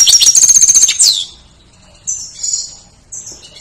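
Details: Goldfinch, recorded to train other songbirds, opens with a quick, tinkling trill of evenly repeated notes, then drawn-out high whistles and a soft chip.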